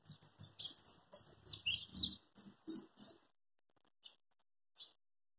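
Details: A young European goldfinch, recorded in 2020, gives a rapid run of thin, high twittering chirps for about three seconds, then two faint single notes; faint low rumbling underneath.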